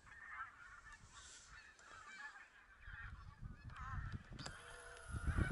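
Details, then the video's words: Geese honking in chorus at a November 2016 goose count in Silesia, the flock possibly including Barnacle, White-fronted, Greylag and Bean Geese; many calls overlap above quieter wind, and bursts of rumble come late. "Liczenie gęsi na Śląsku - 11- 13 listopad 2016"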